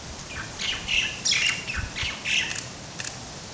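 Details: Laysan albatross chicks, with adults present, at Princeville, Kauai, Hawaii, May 2010, give squeaky, harsh calls in quick, uneven bursts, roughly three a second, during feeding, over a faint low rumble of wind.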